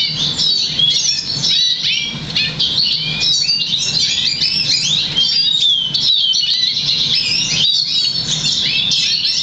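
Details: A crested, 50% variegated Black Siskin × Russian Canary mule, bred August 2009 and trained to sing European Goldfinch notes, sings a fast, unbroken stream of high twitters, trills and chirps over a faint low hum.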